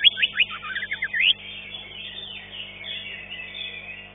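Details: Fifth-place green leafbird (cucak ijo) at a singing contest delivers a fast series of rising, slurred whistles lasting just over a second. Many competing birds continue in the background.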